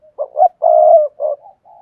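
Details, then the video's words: Spotted dove singing the Cườm Sa song style in a hạp bổi voice: one low cooing phrase of a short hoarse note, a rising coo, a long steady coo, then a shorter coo and soft trailing notes. "tiếng chim cu gáy bài bản Cườm Sa"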